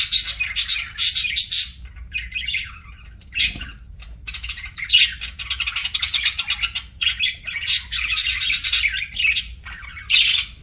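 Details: Budgie (parakeet) kept as a pet, heard during a meal: almost continuous raspy chirps and squawky warbles that rise and fall in quick clusters, with a brief gap near the middle.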